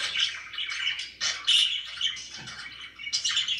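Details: Budgerigars in a home chirping and chattering, a dense, scratchy warble with brighter squeaky accents, continuous through the whole stretch, over a faint low hum.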